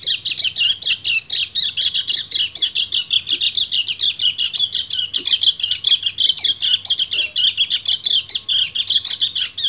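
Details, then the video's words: Long, loud ngecir song from a male white-eye calling a female in breeding condition. Rapid, scratchy high twittering runs steadily for nearly ten seconds in regular pulses. "PLECI GACOR NGEBREN - KECIAL KUNING BIRAHI MEMANGGIL BETINA"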